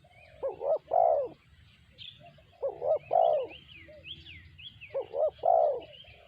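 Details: Spotted dove cooing in the sanji voice, three phrases of paired short hoots and a longer mellow note, about two seconds apart, with whistled chirps of other birds above.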